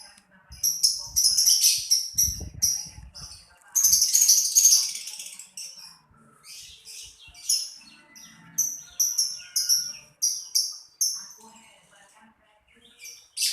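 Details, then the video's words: Lovebird chattering with rapid, sharp, high chirps in quick series and two dense shrill bursts, followed by separate clipped tweets repeated several times a second, with faint low rustling. "LoveBirt_Bunyi suara burung"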